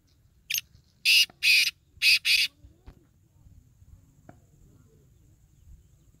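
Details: Black francolin calling: a short grating note, then a loud harsh phrase of four rasping, broadband bursts in quick succession, followed by quiet with faint low background rumble.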